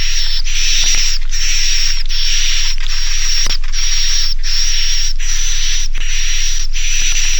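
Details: Roosting call of edible-nest swiftlets in the Naga Mas style, used by farmers so young birds roost: regular rasping buzzes, roughly one every 0.7 seconds, with a faint sustained high whistle and occasional clicks.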